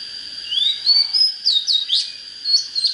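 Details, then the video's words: Oriental magpie-robin in spirited song used to fire up fighting birds: a long upward whistle, then loud abrupt slurred notes and twitters in short bursts, steady thin hum behind. "Chích chòe than HÓT HAY || Cách LÊN LỬA TỐT NHẤT"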